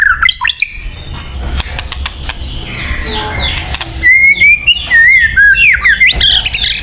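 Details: ['White-rumped shama song for bird luring: soft, scattered notes and faint rustling at first, then loud clear whistled phrases with wavering, rising and falling notes in the second half.']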